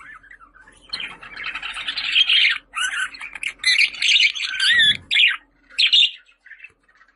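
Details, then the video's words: Budgerigar warbling almost without a break, with rolling, squeaky notes that twist up and down, short gaps near the end, and a faint low hum beneath. "Muhabbet Kuşu Sesleri"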